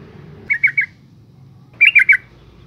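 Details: Female yellow-vented bulbul calling to lure and stimulate males: two short bursts of three bubbly, chattering notes, the second burst louder, separated by a pause of about one second.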